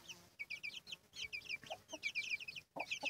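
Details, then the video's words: Hen and her chicks: a flock of chicks peeping in rapid high downslurred chirps, overlapping and irregular, with a few low hen clucks toward the end. "la gallina y sus pollitos"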